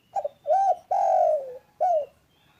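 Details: Spotted dove call, loud yet calm, meant to coax quiet doves into calling: a quick double note, then a rounded coo, a long sliding coo that sinks in pitch, and a final short coo.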